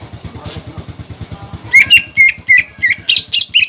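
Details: Cucak ijo singing as a pancingan to trigger song in young birds. A rhythmic low engine-like throb runs through the whole recording, and halfway in the bird starts a rapid run of sharp whistled chirps.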